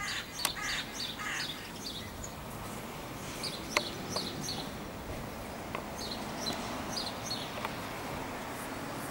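Fieldfare giving harsh, chattering chack calls in short irregular bursts, with a few sharp clicks over steady background hiss.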